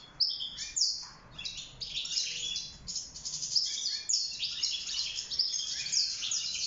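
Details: Wild European goldfinch kept in a cage, singing for mating and nest building: a rapid, high, tinkling twitter of buzzy and liquid notes, continuous and jumbled, with sharper accented chirps.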